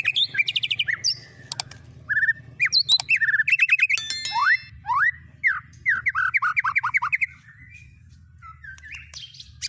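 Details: White-rumped shama singing in a recording meant to teach it other birds' songs: rapid varied phrases of whistles, slurred rising notes and chattering bursts, over a steady low hum.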